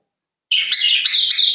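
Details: Six-month-old caged long-tailed shrike, bought at a song competition, bursts into a brief high, strident phrase after a moment of silence. It gives sharp, rasping, wavering notes delivered without pause.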